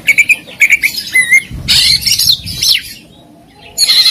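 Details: Singing Oriental magpie-robin with repeated short whistled notes at the start, a loud harsh burst of buzzy chatter in the middle, a quiet pause, then a final rasping phrase.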